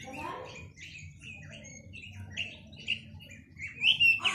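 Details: Chinese hwamei delivering a varied, rambling sequence of whistled and slurred notes, quieter at first and building to louder, bright whistles at the end.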